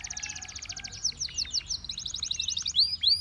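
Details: Canaries singing while one tempts the others to join: dense, overlapping rapid chirps and trills, fairly soft, ending in a few brighter swept whistles, with steady low background noise.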